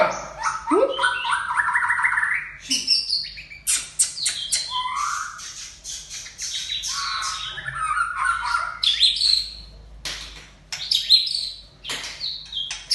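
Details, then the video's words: White-rumped shama of the Aceh type in varied song, mixing rising fluted whistles, harsh squawky notes and rapid chattering bursts, with brief pauses between phrases. "Murai Aceh Ori 2"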